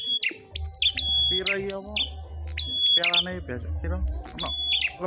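Grey-crowned prinia gives sharp, high, whistled notes in quick repeated bursts about once a second, over loud human speech and a low hum.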